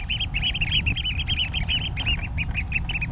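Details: Eurasian oystercatcher giving clear, sharp piping 'kleep' notes in quick succession, some slightly rising, others clipped short, against a persistent low rumble.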